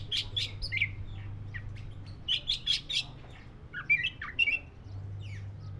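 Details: Black-breasted form of the Oriental magpie-robin giving bursts of harsh chirps and short squawky notes in quick clusters, with pauses between, over a steady low hum.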